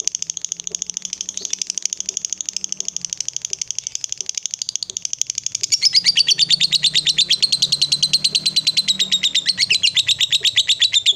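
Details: Female fighter lovebird giving its long ngekek chatter, used to provoke rival lovebirds: a steady run of high, rapid, shrill notes that grows louder and faster after about six seconds and keeps going to the end.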